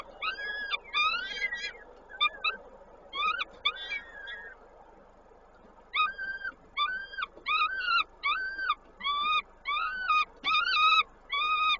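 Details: At a Koszalin nest on 19 May 2022, a peregrine falcon feeding gives a run of arched, whining calls repeated roughly every 0.7 seconds after an irregular opening burst of shorter, rougher notes.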